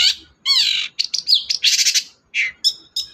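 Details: Long-tailed shrike song meant to prompt a silent bird to sing: harsh squawks, buzzy rasping notes and short high whistles in quick bursts, clean with no background.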